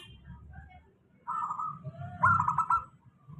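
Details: Local zebra dove steady lure song for doves that rarely sing: a soft quiet lead-in, then a rippling trilled coo and a longer buzzy phrase, with low background hum.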